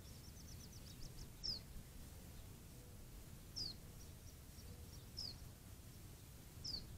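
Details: Hooded Orioles, two birds in the Catalina Foothills, Arizona desert, give sharp, high, downslurred call notes every second or two, with a faint rapid chatter at first, over a steady low background rumble.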